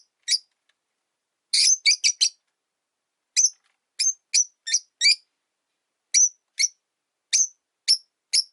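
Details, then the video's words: Shrill, clipped chirping from three Rosy-faced Lovebirds kept together in one cage, the original blue-white bird disliking the new yellow-faced one; a quick cluster of four notes, then evenly spaced single and paired chirps every half second or so. "Lovebird Chirping Sounds"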